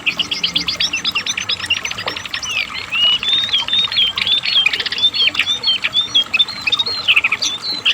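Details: Asian brown flycatcher in vigorous song for training pet birds: a dense, nonstop stream of high twittering notes, chattering at first, then sweeping, slurred whistles run together near the end.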